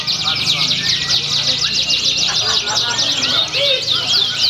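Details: A contest canary in Pringsewu, 22 September 2019, sings a steady stream of quick zigzag trill notes. Other birds in the chorus overlap, with soft crowd chatter below.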